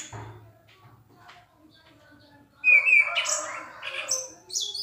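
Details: Orange-headed thrush, singing loud and clear: after quiet background, a sudden rush of bright whistles and harsher high notes fills the final two seconds.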